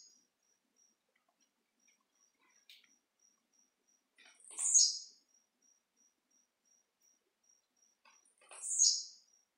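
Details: Tiziu, the blue-black grassquit, giving its 'de pulo' jumping song: a soft click, then two high, buzzy, downslurred bursts roughly four seconds apart, with rapid regular insect ticks throughout.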